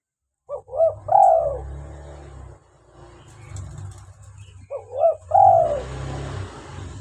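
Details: Spotted dove calling in lively form, used as bait for trapping and to prompt captive doves: two phrases of short rising notes and a drawn-out coo, over a steady low rumble and background hiss.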